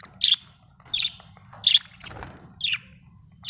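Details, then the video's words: Budgie chirping: five short, bright, high chirps spaced roughly every half second to second, each a quick harsh note, with a soft rustle between the fourth and fifth. "Budgie chirping sound"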